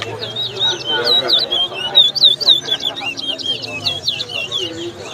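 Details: Competition singing from a chestnut-bellied seed finch (towa towa) at Lusignan, Guyana, in 2022: clear, high, rapidly repeated whistled phrases with downward and upward slurs over steady background talk from onlookers.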